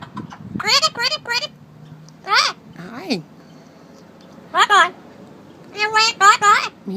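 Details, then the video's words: A talking pet male Amazon parrot that knows hundreds of words gives about five or six short, voiced, speech-like phrases rising and falling in pitch (e.g. "bye bye", "hello pretty bird") while its owner talks nearby. "Talking Amazon Parrot waves bye bye,Talks, and sings"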